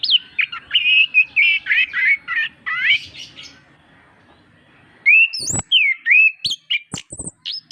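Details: Orange-headed thrush in full song, recorded as a master to rouse birds that seldom sing: a run of quick warbled, rising whistles, a pause of about two seconds, then sweeping slurred whistles and sharp clicks.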